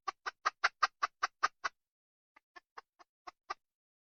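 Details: Wild red junglefowl hen giving a fast run of nine clipped, evenly spaced clucks, then a short pause and six softer, more scattered clucks; no other sounds.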